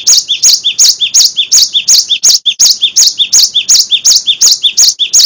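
A cinereous tit sings a loud, ringing two-note phrase, a high note dropping to a lower one, repeated nearly three times a second without pause.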